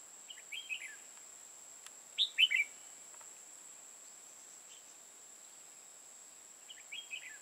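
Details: Red-whiskered bulbul kept as a decoy for trapping in Hòa Bình, Vietnam. Soft warbled phrases frame one loud burst of three bubbling whistled notes near the middle. A thin, unbroken high tone runs beneath.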